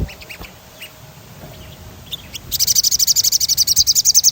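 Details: Sogon song used to stimulate other birds: a few faint high notes, then a loud, rapid rolling trill of evenly repeated bright notes filling the last two seconds.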